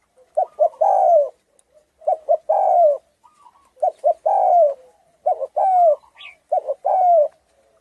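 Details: Hoarse-voiced Thai-strain spotted dove, its cooing meant to provoke other doves and decoys; five phrases of two short clipped notes and then a long, drawn, falling coo, each about one and a half seconds apart.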